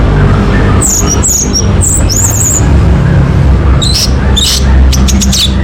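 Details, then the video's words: Orange-headed thrush song used as a lure to make a bird start singing: short high whistled phrases and quick chirps in two bursts, over a constant low rumbling hum. "PANCING ANIS MERAH AGAR CEPAT TELER"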